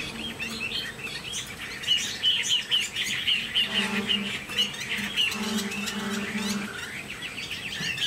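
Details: Chinese hwamei kept as a tame cage bird, pouring out fast chattering whistles and warbled phrases, with a steady low hum running under parts of the song.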